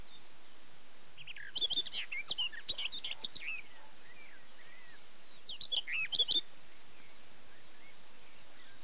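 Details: Barred warbler, Erdőhorváti, Tokaj region of Hungary, early May 2013, Canon EOS 7D: two brief bursts of quick scratchy warbling separated by several quiet seconds with soft background hiss.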